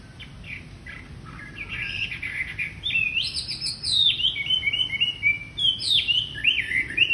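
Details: Singing wambi used as a lure for untrained wambi birds: begins with scattered quiet chirps, then builds into a loud, quick stream of high whistled and chattering notes.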